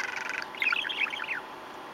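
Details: Pet male budgerigar playing with its owner, giving a brief run of fast, squeaky warbled chatter with twittering notes that rise and fall, fading out after about a second and a half.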